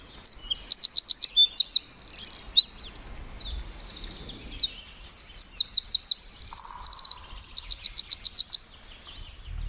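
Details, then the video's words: Eurasian wren delivering an energetic, high, fast song of rattling trills and chattering bursts, pausing briefly midway before a second trilled phrase; faint low sound in the background. "Singing Eurasian Wren Bird: Best Bird Song"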